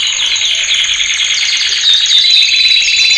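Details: Male canary training song in a brief burst of dense, rapid, high-pitched trilling with a thin whistled thread running through it.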